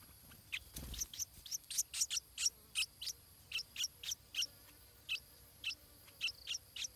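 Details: Stripe-throated bulbul chick fed in its nest, calling with rapid, insistent high squeaks, some doubled, two to three per second, with a low thump early on.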